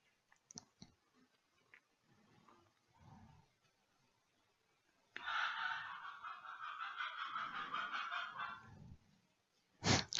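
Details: Rooster crowing at midday in the south of France, heard in the background: one long, hoarse, harmonic crow of about four seconds, faint and level in pitch, after scattered quiet clicks and a sharp noise at the end.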